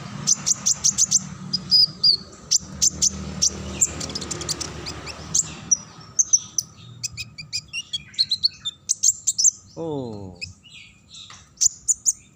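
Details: Ngacor song of a Kinglet Cisticola: dense runs of very high, sharp chirps repeated quickly, easing into sparser twitters, with a brief descending lower sweep near the end.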